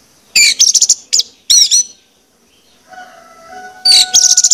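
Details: Orange-headed thrush song used as a lure recording to make birds sing actively: bursts of sharp high chirps and trills, a pause, then a faint steady hum before another rapid chirping burst.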